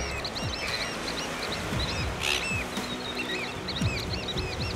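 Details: African black oystercatchers at Danger Point, Gansbaai, Overberg, South Africa, during breeding season give many short, sharp piping notes overlapping in a busy chorus, over a low rumble that may be surf or wind.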